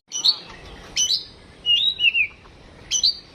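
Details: Oriental magpie-robin kept at home, tested for mentality, singing sharp high chirps mixed with clear whistled, slightly wavering phrases that slide up and down, in a quiet setting.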